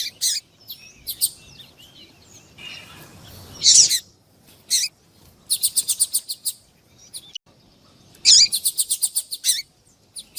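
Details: Male white-throated seedeater, the tuí-tuí style, with a female calling, used to warm up a male: high trilled bursts and fast rapid-fire repeated notes in groups, with brief gaps between phrases.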